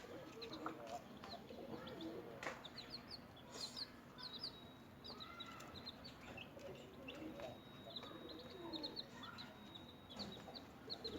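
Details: Newborn chicks feeding, scattered high thin peeps from several birds, irregular bursts with pecking clicks and soft rustling throughout.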